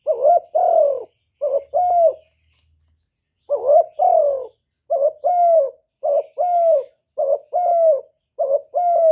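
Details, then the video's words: Lure spotted dove cooing gáy gù to excite others: repeated low, throaty double coos, a quick note leading into a longer downward-bending coo, one gap early, then a steady run of phrases. "Chim Cu Gáy Mồi gáy gù cực chất"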